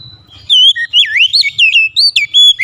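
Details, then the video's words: Kacer, the Oriental magpie-robin, delivering a fast, varied song of clear whistles. Looping, dipping and upslurred notes follow in short bursts, some rising and some falling, in a quick, lively sequence. "SUSUNAN KICAUAN KACER YANG INDAH DAN ENAK DI DENGAR"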